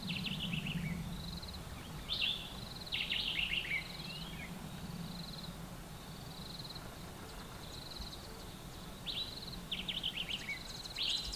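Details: Green wood hoopoes feeding chicks at two nest holes about 45 cm apart in one tree trunk give bursts of harsh, rapid chattering notes, with thin high squeaky calls between bursts, over a low steady background rumble.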